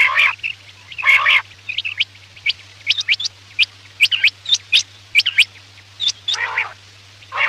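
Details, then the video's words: Quail calling for use as a night hunting lure: rapid high chirps and clipped notes in loose clusters, broken by a few harsher, rasping bursts, with a constant low hum underneath. "Batair ki awaz raat k liye|batair ki awaz shikar k liye"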